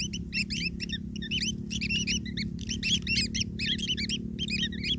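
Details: Young long-tailed shrikes calling to be fed by their parent: clustered bursts of shrill, upward-flicking squeaks, several chicks overlapping, with short gaps between bursts and a low droning background.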